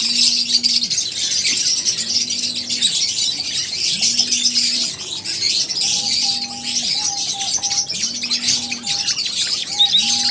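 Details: Many lovebirds keep up a nonstop high twittering chatter, sharp and raspy, over a low hum that swells and fades in a regular two-second beat.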